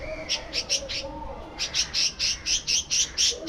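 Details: Budgerigars in a breeding colony set up as an aviary flock, giving bright, short chirps repeated about twice per second in bursts, with faint low murmuring calls underneath.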